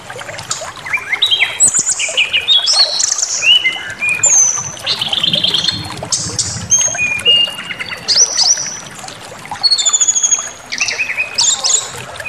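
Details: Brown-chested jungle flycatcher lure song for provoking aggression. There is a long, dense stream of varied whistles, quick chattering trills and high slurred notes, with several phrases overlapping and brief lulls between bursts.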